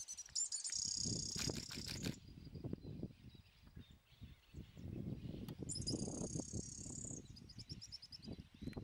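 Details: Tufted tit-spinetail (Leptastenura platensis) in Uruguay, November 2014, giving very high, thin trilled notes in two bursts, with rumbling wind or handling noise underneath.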